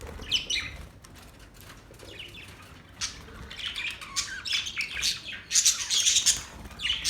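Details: Singing budgies, described as giving mating calls: scattered thin chirps at first, building into a busy run of warbled, buzzy squawks and twittering notes toward the end.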